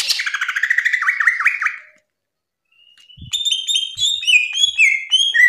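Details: Cucak ijo green leafbird giving varied loud song: a rapid warbling chatter with looping whistled notes, a gap, then a string of high sweet whistles and descending slurs with a few low knocks.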